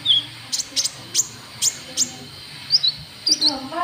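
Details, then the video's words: Lure call of a white-cheeked bulbul meant to attract rivals: short, bright, high chirps at irregular intervals, with a murmur of voices rising near the end. "Suara Pikat Burung KONIN TROTOL"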